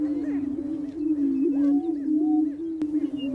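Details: Greater prairie chicken males in mating display on a spring lek: a low continuous boom with soft arching cackles and a sharp click near the end.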